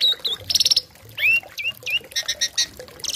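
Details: Tame Asian pied starling giving tutor song for other cage birds, a fast jumble of rattling buzzy bursts, downward-sweeping whistles and short chirps packed into a few seconds.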